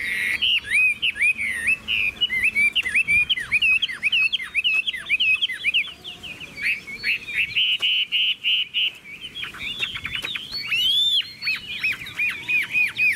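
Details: Chinese hwamei, a caged songbird offered for sale in Vietnam, sings a long, loud, varied stream of whistled slurs and fast trills, with a brief drop in volume midway before bright rising whistles resume.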